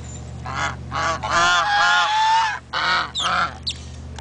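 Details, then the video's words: Loud, obnoxious geese at Big Cypress, honking in a rapid series of harsh, nasal blasts, some drawn out, others short, roughly two per second. "Loud & Obnoxious Geese"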